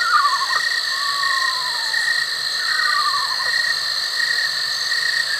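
An Eastern Screech-Owl gives three descending, tremulous whinnies, each about a second long, like a small horse's neigh, over a steady insect drone.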